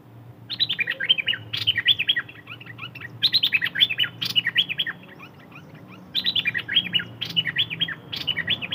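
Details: Thai bird known as นกดอกแตง singing three bursts of rapid high twittering, each phrase about two seconds of dense chirps, separated by short pauses, with low background hum.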